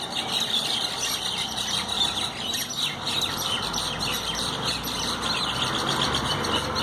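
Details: Common mynas fighting give a steady, dense chatter of harsh squawks, squeals and chirps, with several birds calling over one another without a pause.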